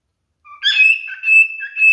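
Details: Pet male cockatiel singing during mating display: a soft lead-in note, then a loud steady whistle alternating with lower warbled notes, ending on a rising whistle.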